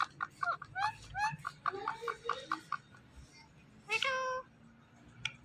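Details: Pet ring-neck parrot chattering in a quick series of short, bent, speech-like syllables, then one longer harmonic drawn-out call near the end, over a low background murmur.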